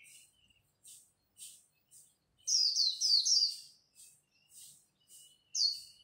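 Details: At dawn, competing Japanese white-eyes sing líu-style to rouse fresh birds: faint rhythmic high chips lead into a loud, tumbling run of descending twittered notes, then more soft chips and a final sharp note.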